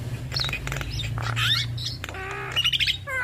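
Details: Duetting male and female Javan mynas give squawky slurred notes, a buzzy rising call and a short run of bright chirps, heard over a loud low hum.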